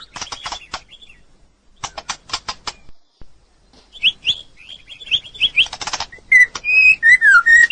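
A White-rumped shama sings a varied run of sharp clicks and chips, then clear rich whistles, some sliding down and some rising, in quick phrases.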